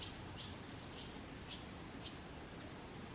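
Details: Short high, sharp three-note phrase from a grey wagtail, singing on 22 May 2023 at Kotoura in Tottori Prefecture, Japan, with soft faint chirps around it; filmed handheld with a Canon SX740HS.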